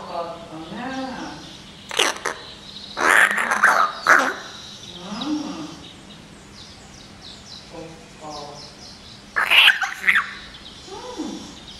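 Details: Home-kept common hill myna, May 2015, earnestly attempting talk with its owner; clusters of harsh, rapid squawking bursts mix with gliding, voiced speech-like sounds over a faint hum.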